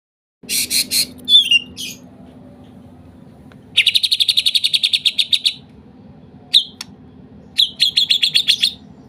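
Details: White-rumped shama of the Medan type singing with imitated kapas tembak material: bursts of sharp, buzzy high notes, then a long run of rapid, evenly repeated chips, a lone upslurred note and another fast chip series, over a steady low hum.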